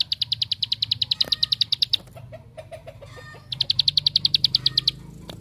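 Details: Bar-winged prinia in 'tembakan' (shooting) song, a lure to make other prinias sing: two long runs of fast, high, evenly spaced chip notes separated by a quieter stretch of softer, lower twittering.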